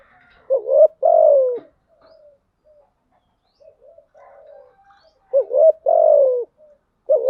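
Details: Decoy spotted dove cooing, styles thúc gù and gáy gọi, played to lure wild doves: two paired phrases, each a short upswept note followed by a long, slightly descending coo, separated by a quiet gap of soft murmuring.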